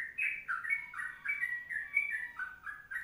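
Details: Brief stretch of Sooty-headed bulbul 'kongslet' song: rich, slurred whistles falling and rising in close succession, with light background noise.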